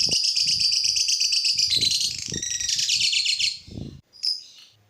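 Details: Lovebird song used to prompt other lovebirds: a loud, rapid, shrill chattering warble for about three and a half seconds, then a brief squeak, with faint low background knocking.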